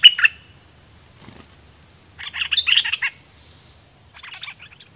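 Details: Red-whiskered bulbul kept as a decoy, Dok Taeng song style, opening with doubled song phrases aimed at wild birds. A loud opening note, then a burst of warbled chattering phrases and a softer final phrase.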